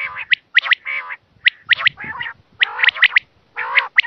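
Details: Quail call meant for catching quail: nasal, hoarse bursts alternating with sharp high clipped notes in twos and threes, repeated irregularly about once a second.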